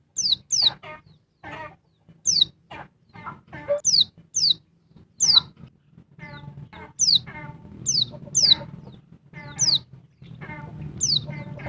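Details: Noisy female oriental white-eye, a Dakun Bali bird, calling to agitate a male. Thin, high, downslurred chirps sound singly or in quick pairs every second or two over soft twittering and a low background hum.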